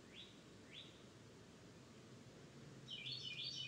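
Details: Birds singing in Florida: two quick rising whistled slurs, then a burst of rapid high jumbled notes from another singer, over a steady low background hum.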